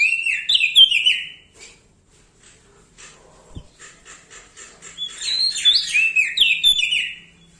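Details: Bar-winged prinia of the Lombok type, singing vigorously with a loud voice beside larger birds: bursts of bright, slurred whistled phrases that fall and rise, then quiet ticking notes, then another run of sharp descending whistles.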